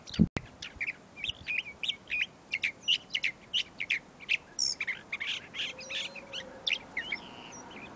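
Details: California Thrasher (Toxostoma redivivum) singing in spring at Montana de Oro State Park, California: a long run of varied, repeated short phrases, chirpy and whistled notes about every third of a second, with a low hum behind.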